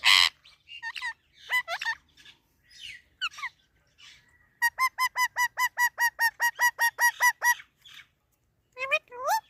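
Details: Talking Indian ringneck parakeet gives scattered voice-like syllables, then a fast, steady string of about fifteen identical clipped notes, finishing with two rising whistled phrases after a short silence.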